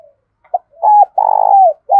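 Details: Spotted dove used as a decoy, calling in the 'thúc' or 'gáy gọi' style to rouse newly caught birds: a brief soft note, then a mid-pitched coo and a longer sustained, throaty coo that slides down at its end, in quiet surroundings.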